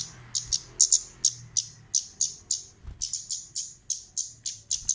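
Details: Orange-headed thrush, a female used as a lure call, giving sharp high chipping notes in rapid irregular series, each note a short downward-sweeping tick, with faint low hum beneath.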